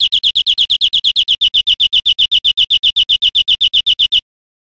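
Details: European Greenfinch from Spain, recorded 2013, delivering a steady rattling trill of about four repeated chirps per second. The notes start slightly faster and run for four seconds before ending abruptly.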